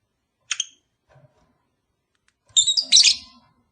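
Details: Lovebird calls played to encourage a long-unmated pair to breed: one short shrill high chirp, a pause, then a burst of harsh, high, squeaky chirps lasting under a second.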